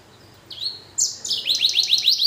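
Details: Hybrid blackthroat-canary finch: a thin whistled note, then a louder buzzy phrase that breaks into a rapid trill of repeated falling chirps, about eight per second.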